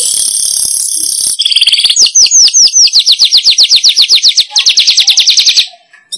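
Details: Weaver call used to lure wild weavers: an opening buzzy hiss, then a long, accelerating series of sharp, sweeping chirps that fades out.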